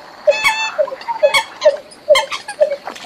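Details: Eurasian coot calling in a recording made abroad: short, nasal, clipped notes repeated about twice a second in loose pairs, with faint chatter between them.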